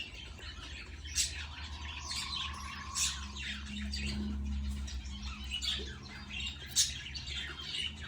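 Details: Budgerigar chicks squawking as a parent feeds them, loud rasping bursts spaced a couple of seconds apart with quieter chatter between, over a low droning hum.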